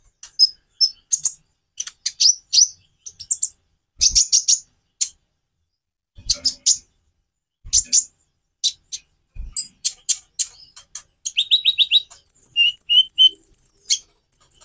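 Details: White-rumped shama singing varied phrases for tutoring other birds: scattered sharp high chips and clicks in bursts, a few low thumps, later fast repeated whistled notes and a thin high sustained whistle.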